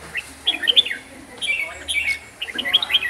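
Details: Red-whiskered bulbul from Huế, Vietnam, singing a long bout: quick warbled and whistled phrases around the upper-middle range, bursts of several notes separated by short pauses, no other clear sounds.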